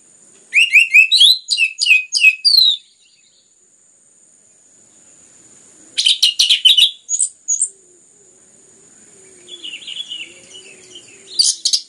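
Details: Orange-headed thrush song played to stimulate other birds to sing: a dense run of quick slurred whistles, then a harsh buzzy burst and softer scattered notes, with a steady high electrical whine throughout.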